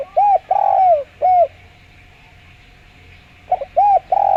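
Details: Spotted dove calling clearly, used as a lure: a run of short low coos and one longer coo, a two-second pause, then another quick series of coos.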